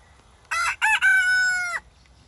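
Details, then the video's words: Wyandotte rooster crowing: a loud harmonic cock-a-doodle-doo in three parts, two short opening notes followed by a long sustained, slightly falling final note of over a second, against a quiet background. "Wyandotte rooster crowing"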